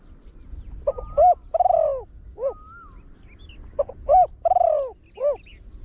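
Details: Trained large dove, used as a call bird to attract wild doves, giving deep cooing phrases of several low hooting notes, a phrase about every three seconds, over low background rumble.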